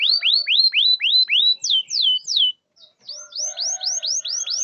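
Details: Canary song played to coax reluctant canaries into singing: repeated falling whistled sweeps, several steep downward slurs, a brief pause, then a run of rising-then-falling whistles about four per second.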